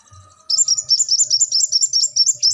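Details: Continuous high-pitched song of a brown-throated sunbird: a two-second stream of quick, tumbling chirps at a constant pace and loudness.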